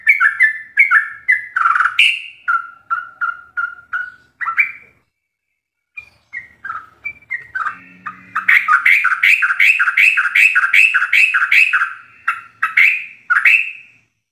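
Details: Sooty-headed bulbul in full ropelan song, intended as a training master for captive birds: whistled phrases, a short quiet gap with faint low hum, then a long fast burst of rapid repeated notes.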